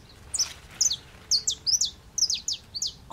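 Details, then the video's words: Brazilian saffron finch, or canarinho-da-terra, singing from an aroeira tree: brisk series of high, slurred chirps in paired notes, rising in density toward the end, steady and clear over faint background noise. "Canarinho terra Amarelo na Aroeira cantando"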